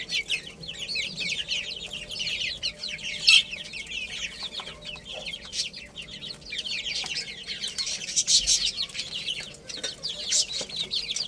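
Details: Young chicken chicks chirp while playing and eating: a steady flock chorus of thin, falling whistled peeps, many at once, with brief louder peaks near the middle and end.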